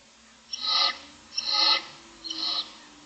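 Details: Three evenly spaced, breathy, rasping hisses from barn owl chicks in the nest, made as the six owlets look for food in the morning.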